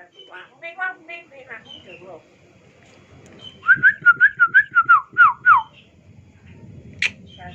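Bali myna giving a quick run of about a dozen clear whistled notes, each rising then dipping, then one sharp upswept whistle; a person speaks at the start.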